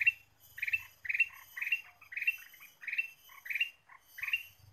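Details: Lure recording of a lively Ruby-throated bulbul: bright chirpy warbled phrases repeated about every half second, each a quick rising and falling cluster of notes, with faint low background rumble between phrases.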